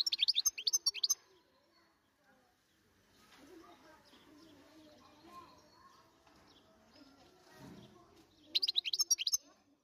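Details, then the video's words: Wild European goldfinch giving two short bursts of bright, rapid, high-pitched twittering, one at the start and one near the end, with murmured voices and faint background chatter filling the gap between them. "تغريد الحسون الخلوي"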